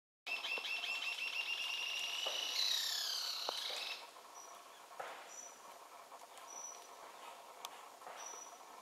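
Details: A Rufous-tailed jacamar calling from a perch at BFREE, Belize, on 7 February 2013 gives high, thin notes in a rapid run that rises into a squealing trill, then trails off into scattered sharp peeps.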